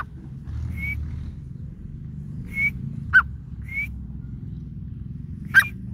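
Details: Grey francolin, known locally as teetar, calling: thin whistled notes alternate with sharper, louder bursts, roughly one note per second, over a steady low rumble in the background.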